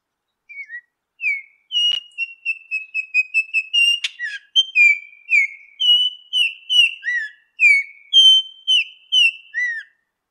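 An Altamira Oriole sings a run of clear, whistled notes, some steady and some sliding up or down, about two per second, with no other sounds.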